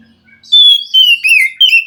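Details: Wild forest white-rumped shama, singing to stir a captive bird reluctant to sing: after a faint low hum, loud pure whistles, a long steady note, then two shorter warbled phrases.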